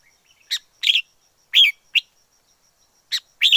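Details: Wild forest red-whiskered bulbul chirping in pairs of bright, slightly burry notes, with short pauses between groups and a faint steady ticking tone behind.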